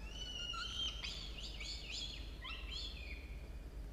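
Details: Two young falcons at their nest, 17 and 13 days old, university nest camera, dawn of 27 October 2022; quick run of wavering, rising-and-falling harsh wails in close succession, continuous background hum.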